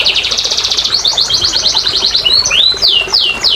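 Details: Canary song to encourage lazy canaries: a rapid buzzy trill, then choppy repeated notes, ending with looping downward whistles.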